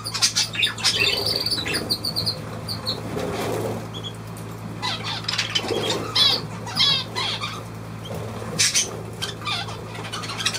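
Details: Budgerigar recorded 23 June 2023, giving a busy run of harsh squawks and scratchy chatter in uneven bursts, mixed with wing flapping and a steady low hum.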